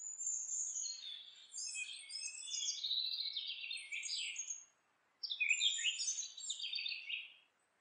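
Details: Singing house wren at its nest site: two long tumbling phrases of buzzy trills and chattering notes, the first over four seconds long, the second starting after a brief silence.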